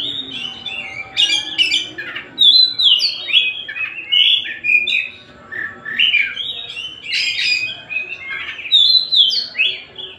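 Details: White-rumped shama of the Tasik type in continuous song, fluid whistled slurs alternating with buzzy chattering notes, loud phrases rising and falling almost without break.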